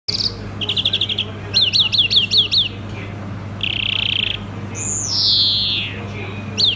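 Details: European greenfinch singing: short buzzy trills, a run of five quick downslurred notes, a flat rattling trill, then a long nasal wheeze sliding downward, with a steady low hum throughout.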